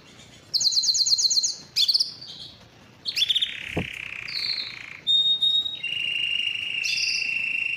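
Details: Belgian canary singing: bright high trills of rapid repeated notes, then a short pause, a sharp click, and long steady whistled tones with rolling trills.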